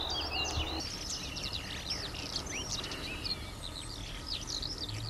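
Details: Eurasian skylark giving a busy, high-pitched twittering song of quick chirps and trills, partly masked by broad environmental and traffic noise.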